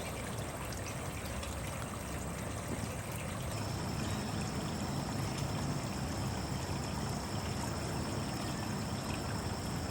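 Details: Steady rushing, stream-like water noise fills the recording, with a faint high electronic whine and no animal voice.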